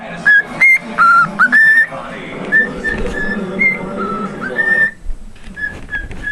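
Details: Pet cockatiel whistling bits of Jingle Bells, short bright notes at first, then softer, fainter whistles over a low background murmur that drops away near the end.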